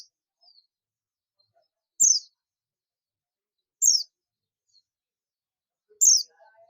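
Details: Oriental white-eye (buxtomi) calling companions, known as ngalas: single high, sharp descending chirps repeated roughly every two seconds, three in all, with faint tiny notes in between and quiet surroundings.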